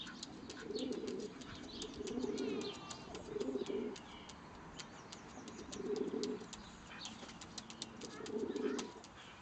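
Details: Low, burbling coo phrases from a pair of pigeons at a rescue centre, one pure white, feeding each other before mating, coming in bursts of about a second with pauses between and faint clicks throughout.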